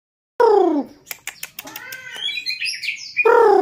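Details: White-rumped shama being trained to become a fighter bird, singing a varied phrase: loud falling whistled notes, then a run of sharp clicks and rising and falling sweeps, ending with another loud descending whistle.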